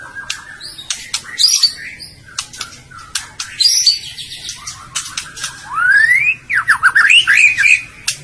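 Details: White-rumped shama (Murai Batu) song used as masteran to stir birds into singing: sharp clicks and short whistles, then a rising whistled slur and fast, rippling looping phrases near the end.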